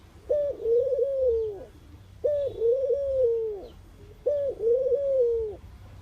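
A mourning dove gives soft, low, hollow cooing notes, each swelling slightly then fading, repeated about every two seconds over faint background hiss.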